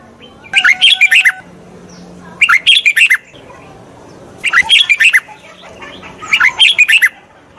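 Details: Red-whiskered bulbul singing to train a wild-caught bird: four scratchy, chattering bursts of crowded notes roughly every two seconds over a constant low hum.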